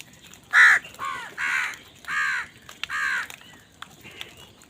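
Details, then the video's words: Crows fighting for food, giving loud harsh caws with arched, rasping harmonics, five calls in under five seconds, the first loudest, with quiet background hiss. "কাকের ডাক Crow Sound Crow ki Awaz Loudly | Crow bird Fight for Food"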